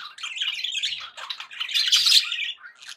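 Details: Budgerigars kept as pets, chattering happily in one continuous run of rasping warbles and twittering notes that swells louder toward the end.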